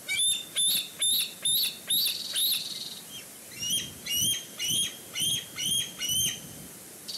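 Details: Bald eagles at a nest with food in Sauces Canyon on 14 June 2019, with the female flying in from another tree. High, thin chirping notes come in two bursts of about seven, roughly three per second. Faint background noise.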